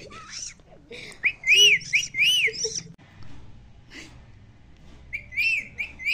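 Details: Loud talking Indian parrot repeating "mummy" in a quick run of bright, arching high-pitched syllables, then a short pause and two more arched notes; soft music plays in the background.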